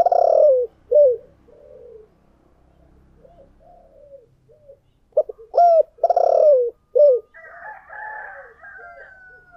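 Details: Spotted dove decoy with a 'giọng thổ' style voice gives loud, rough coos in two clusters separated by softer mumbling notes. A higher, thin whistling call overlaps toward the end.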